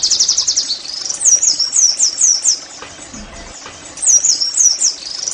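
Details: Song of the Oriental white-eye, played to make caged birds sing: a quick high trill opens, then phrases of sweeping whistled slurs, a quiet gap, and another slurred phrase.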